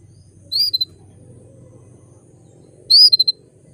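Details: A female canary gives two bright, high calls about two and a half seconds apart, each a sweeping chirp then quick clipped notes, over a faint hum; the calls are meant to lure males into breeding condition.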